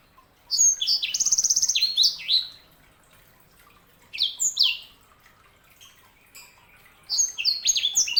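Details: Sanger (canary hybrid) song in three bursts: a loud opening of high rolling trills and swooping chirps, a shorter middle phrase of sharp descending notes, then a final rush of rapid twittering, separated by brief quiet gaps.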